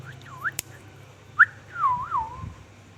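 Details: Ringneck parrot giving short swooping whistles, then a longer wavering whistle that rises and dips several times, with one sharp click and a low background hum.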